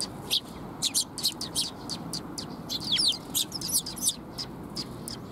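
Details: Several sparrows arriving to be fed at Mizukami Bridge, 19 June 2021, give busy, overlapping high chirps and quick twitters, densest midway, with low background rumble.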